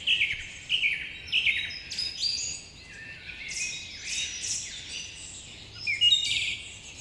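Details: Birds chirping in the morning: sharp high tweets come in short clustered bursts, with brief rising and falling whistles mixed among them and louder peaks near the start and end.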